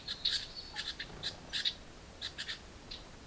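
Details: Nestling house wrens in a nest box clamouring when a parent feeds them: bursts of shrill, raspy chirps in short clusters separated by brief pauses, then fading.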